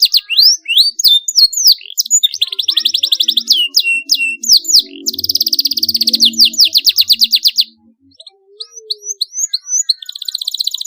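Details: Sharp rolling canary song used to coax young canaries into singing. Slurred whistles lead into long fast buzzy rolls. After a brief pause, a few rising whistled notes follow and a faint low hum sits underneath.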